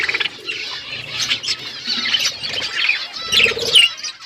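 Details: Budgerigar flock in an outdoor aviary, a dense warbling chatter of overlapping high chirps and trills with occasional bright whistled notes and a rustle of wings.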